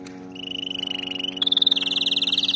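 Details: A canary in a recording used to train canaries to sing gives rapid rolling trills: a steady mid-pitched roll, then a higher, faster one, then a buzzy chattering phrase, over a low steady hum.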